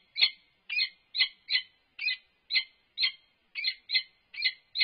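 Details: Peregrine falcons at a university nest box, an unknown male on top of the box interacting with the resident female; sharp raspy calls repeated steadily about twice a second, eleven notes, no other sounds.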